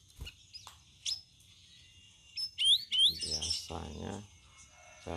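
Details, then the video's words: Sooty-headed bulbul kept in a cage, fourth day of care, answering: a few sharp chirps, then two quick rising whistled slurs, followed by a man talking. "CUCAK RAWIS HASIL RAWATAN HARI KE-4 LANGSUNG BISA NYAUT"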